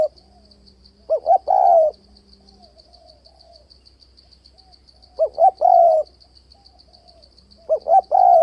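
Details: Spotted dove calling steadily to lure doves into traps: three phrases about three seconds apart, each two quick rising notes and a drawn-out coo, beneath a continuous high pulsed buzz.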